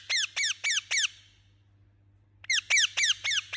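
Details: Angry parrot chirping: shrill, downslurred squeaky notes in rapid bursts of four, then a pause of over a second, then another fast run of about six, with a low steady hum underneath.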